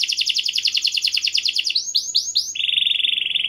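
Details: Energetic canary with a clear voice, singing to prompt others: a buzzy rolling trill, three rising whistled swoops, then a smooth, even trill, over a faint low hum.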